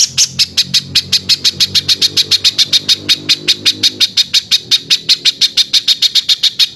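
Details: Harsh-voiced spiderhunter song used to tutor other songbirds: a steady, unbroken series of sharp, high, scratchy notes at about four per second, with a low hum in the background.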